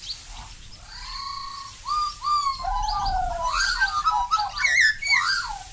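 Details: Black-backed Magpie from Australia: mellow, flute-like whistles that bend up and down, building into a lively, tumbling sequence of warbled, overlapping notes.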